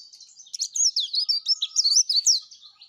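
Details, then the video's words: Rapid, high-pitched twittering song of a yellow-breasted white-eye in full voice, with tumbling warbled notes running continuously for nearly three seconds. "suara kicau plece dada kuning gacor"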